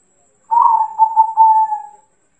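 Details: Zebra dove, a local bird, singing as a lure to draw a reply: one soft cooing phrase of about 1.5 seconds, a few quick pulsing notes running into a long, steady, slightly falling final coo, over a quiet background.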